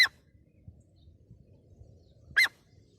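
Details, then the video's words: Grey francolin giving two loud, shrill, harsh notes about two and a half seconds apart, with a faint low rumble between them. "GREY FRANCOLIN SOUND ||| TEETAR KI AWAZ"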